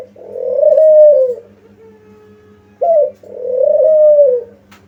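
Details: Lure call of a spotted dove, meant to prompt other doves to answer: a long, soft, slightly rising then falling coo, a short sharp note, then another drawn-out coo, with a low steady hum behind.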